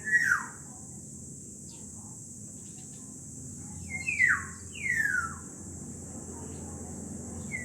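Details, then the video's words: Black-naped orioles (kilyawan), two birds, give clear falling whistles, one at the start and then a quick pair of descending fluted notes near the end, against a constant high-pitched insect drone. "KILYAWAN [Black Nape Oriole ]Two Beautiful Birds Singing & Chirping Amazing Sound"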